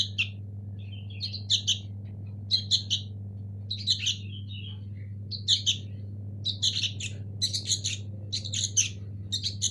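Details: Young local sooty-headed bulbul nestlings in Indonesia; thin, high, hoarse chirps come in short clusters about every second, growing busier toward the end, over a steady low electrical hum.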